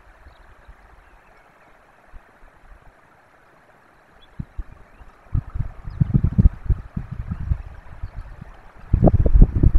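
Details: Low rumbling and gurgling with irregular bumps and knocks that grow louder in the second half, and no animal voice heard.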